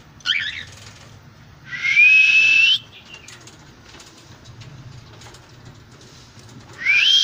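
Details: Cockatiel uttering loud, shrill, rising whistled calls in three bursts about a second long, separated by quieter gaps with faint scratchy sounds.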